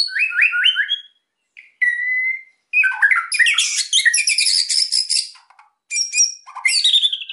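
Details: White-rumped shama singing vigorously to make quiet birds sing: a series of rising whistles, a steady whistled note, then a long dense buzzy chattering passage and varied whistled phrases at the end.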